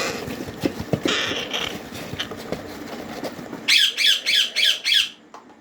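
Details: Green ringneck parrot chicks at feeding time, five harsh, rasping squawks pulsing in quick succession near the end after a stretch of rustling, clattering background noise.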